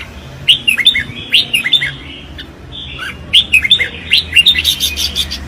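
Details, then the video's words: Red-whiskered bulbul engaged in competitive singing, two quick phrases of sliding, bright whistled notes separated by a short gap, the second phrase fuller and busier. "Tiếng chim Chào Mào | The sound of Pycnonotus jocosus"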